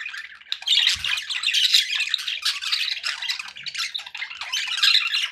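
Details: Pet budgerigars chattering happily indoors, an unbroken run of raspy warbling and high chirps, with a faint low thump in the background.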